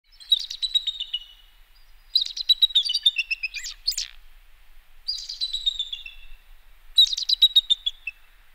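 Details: Bald eagle (Haliaeetus leucocephalus), call.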